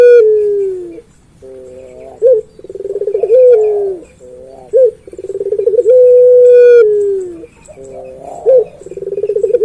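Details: Puter pelung dove in persistent voice: repeated cycles of short rising notes, rapid rolling stutters and long sustained coos that trail downward, heard four times in a row.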